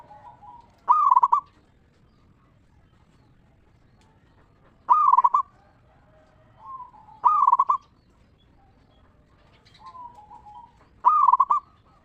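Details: Zebra dove, a local bird, giving its ngeristal-style lure song to make other zebra doves respond. Four stuttering, vibrating coo phrases recur every two to four seconds, with faint softer coos between them.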